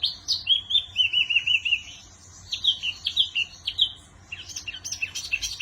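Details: Wambi singing: a run of short, evenly repeated whistled notes at a steady pitch, then a pause, followed by quick warbled phrases and sharp rising chirps.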